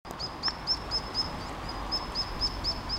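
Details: Mallard ducklings in Endcliffe Park, Sheffield, give a steady string of thin, high peeps, about two each second, over a low outdoor rumble, while male mallards attack and try to drown their mother.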